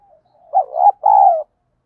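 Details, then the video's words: Spotted dove in the bronze-voiced style, played as a lure to spur rival doves to fight: one soft lead-in note, then a loud rolling double coo, the first part bubbling and the second a sustained, gently falling hoot. "cu gáy giọng đồng, cu gay kich boi nhanh noi gù"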